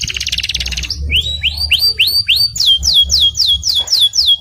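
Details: Canary song used as a premium training recording for other canaries: a rapid buzzy trill, then a series of rising upswept whistles, then repeated falling slurred notes about five per second, with low background hum.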